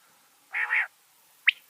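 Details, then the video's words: Common quail (batair) hunting lure sound for winter trapping: a loud, nasal, two-part croak, followed by two sharp, high, whistled notes in quick succession. "Common Quail Hunting Sound Batair Ki Awaz سردیوں کے موسم میں بٹیر پکڑنے والی آواز"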